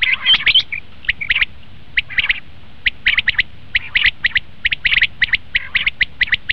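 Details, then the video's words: Common quail for hunting: a loud squawky burst at the start, followed by regular short sharp chirps in pairs and triplets. "batair ki awaz"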